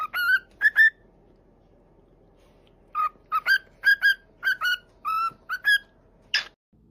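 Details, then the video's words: Pet parrot whistling: short clear whistled notes in pairs and small groups, a two-note phrase, a pause of about two seconds, then a quicker series of about ten bright notes ending with one rough, hissy burst; quiet indoor background. "Parrot Talking"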